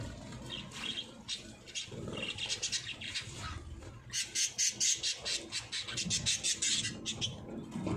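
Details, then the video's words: Parrots in Pakistan calling; a rapid series of harsh, raspy squawks repeats about twice a second, growing louder midway, over a faint low background rumble. "Parrots Singing"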